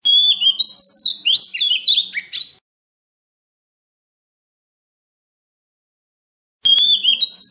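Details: Oriental magpie-robin song in a wild-style voice, played to train young birds and stir wild-caught birds to sing: a rapid burst of varied high whistles, slurred notes and chirps for about two and a half seconds, then silence, then another burst.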